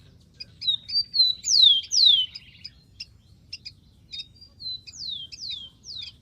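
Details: Wild rufous-collared sparrow delivering clear high whistles that glide downward, two phrases separated by sharp ticks, against a soft low rumble.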